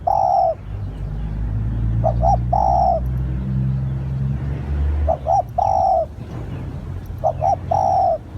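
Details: Spotted dove heard as a lure call. Repeated low phrases of two brief notes and a long soft coo play over a loud rumbling engine-like drone that fades partway through. Faint high chirps are heard too.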